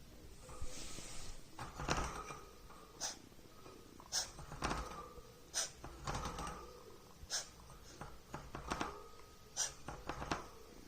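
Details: A female pet cockatiel showing nesting signs gives repeated breathy, snake-like hisses, defending her nesting area from people.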